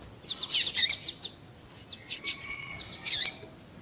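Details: Double-collared seedeater, male and female in captivity, the female calling to stimulate a male's song: two clusters of very high, dense chirps separated by a quieter stretch with faint thin tones.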